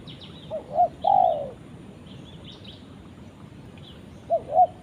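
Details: Spotted dove calling its companion: soft, low cooing, two short hooted notes and then a longer coo sliding downward, followed after a pause by another short pair of coos; faint high chirps of other small birds behind.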